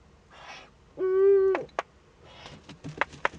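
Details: Eurasian eagle-owl at a nest camera in northern Rhineland-Palatinate, Germany, on 15 May 2013, as a young owl makes first contact with an adult. One steady, harmonic, nasal note of about half a second, between soft rasping hisses and sharp clicks.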